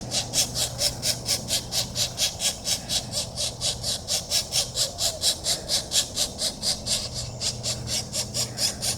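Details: Pileated woodpecker chicks being fed on 4/21/24; harsh, buzzy begging notes repeated about twice a second in a steady, even rhythm throughout, with a faint low hum underneath.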